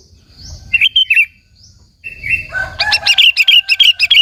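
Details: Energetic sooty-headed bulbul song meant to provoke rival bulbuls and lure them in: a brief warbled phrase, a pause, then a faster run of rapid chirpy notes with a faint steady whistle underneath.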